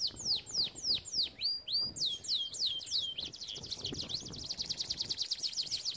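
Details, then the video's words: A canary sings for training: a series of swooping downslurred whistles, then a long rapid rolling trill of repeated notes. "Most powerful song for training Canary"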